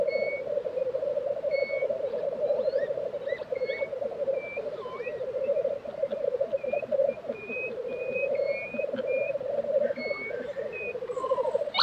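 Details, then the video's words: Black grouse lek in Tiveden, Sweden, April 2023, its low rapid bubbling running throughout, with many short high whistled notes from other birds scattered over it. "Black Grouse Lek - sound recording"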